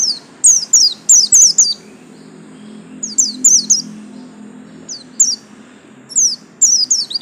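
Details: White-eye of the 'buxtomi' type with a yellow stripe, singing a high, fast twittering song. Bright downslurred notes come in quick bursts of three to five with short pauses between them, over a faint low hum.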